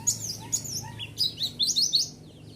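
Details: Lure song of a white-eye meant to make listening birds respond: a short burst of high, sharp twittering notes, some bright and rising, over a faint low hum.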